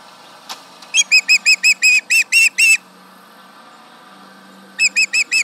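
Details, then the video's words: Osprey at the Charlo nest protesting a tractor near the nest, July 31, 2019, 11am MDT: a faint click, then about nine shrill whistled yelps growing longer, a pause, and four more. "Yelling at the tractor, 7/31/19 - Charlo osprey nest"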